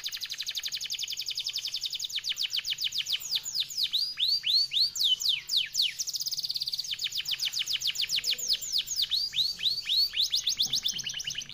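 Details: Long, fast, tightly delivered clear song of an F1YS canary: sustained runs of rapid descending whistled notes, about four per second, alternating with swooping slurs and brief rolling trills.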